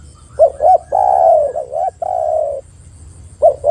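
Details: Spotted dove calling, used as a lure to prompt other doves to start calling: two short hooked coos, then long, steady, mellow coos with a brief dip between them, then a fresh pair of short coos at the end. Background is quiet.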